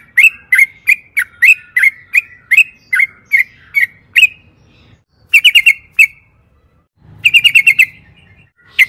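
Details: Sooty-headed bulbul, lure song meant to provoke other bulbuls into answering: a steady run of loud clipped notes roughly three per second, then silence and short tight clusters of rapid notes.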